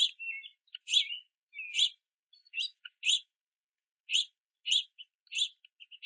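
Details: Juvenile house finches begging for food at a backyard platform feeder in the rain, parents gathering sunflower seeds; short harsh chirps, some with a buzzy tail, given in spaced bursts roughly every half second to second, several young calling.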